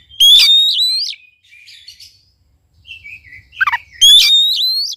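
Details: Oriental magpie-robin song meant to prompt a reluctant bird to sing: two loud rising whistled phrases with rattling harmonics framing quieter warbles and a descending trill.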